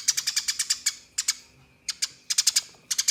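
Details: Eurasian tree sparrow fighting song for tutoring contest birds: quick bursts of high, sharp chirps in rapid strings, broken by short pauses, then resuming in clusters of three to five notes.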